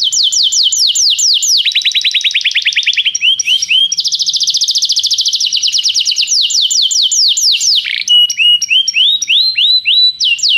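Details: Tutor song of a canary for teaching a young bird: continuous high, rapid trills shifting between tours of sweeping downslurred notes, fast buzzy rolls and pure whistled segments, loud and unbroken throughout.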